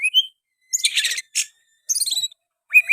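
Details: Short stretch of oriental magpie-robin song carrying sooty-headed bulbul phrases: a brief whistle, then dense scratchy chattering bursts separated by short pauses, ending on a pair of whistled slurs.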